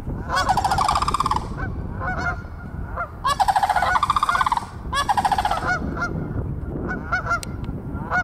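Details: Sandhill cranes walking behind a yard on 22 February give loud, rolling, trumpeting rattles in three long bursts, with shorter clipped notes between; Canada geese are said to be audible in the background, with a faint hiss.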